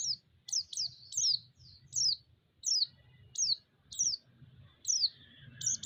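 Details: White-eye lure song meant to rouse other white-eyes: piercing high notes that sweep steeply down, each one a quick whistled flick. About nine come over six seconds at uneven intervals, above a faint low rumble.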